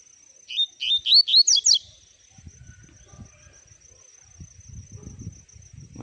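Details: Double-collared seedeater gives a brisk burst of six or seven clear, sliding chirps lasting about a second, followed by silence from the bird and a soft low murmur of background noise.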